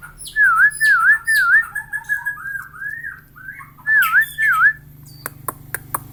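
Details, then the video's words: Black-winged myna with white eyes, known for coughing and speaking, delivers loud wavering whistles in a repeated dipping pattern, then softer gurgling notes, more dipping whistles and a few sharp clicks at the end. "Jalak kebo mata putih batuk ngomong"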